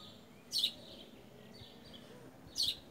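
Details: Wild creamy-bellied thrushes visit a garden for fruit; afternoon smartphone recording from 18 September 2018. Two crisp, high chirps spaced two seconds apart, with faint thin twitters from other birds between them.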